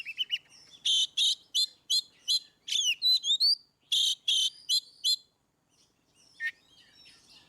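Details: Ngeplong-style Oriental magpie-robin song meant to prompt quiet birds: a fast run of about a dozen sharp clipped notes and rising whistles over five seconds, then near silence with one faint late note.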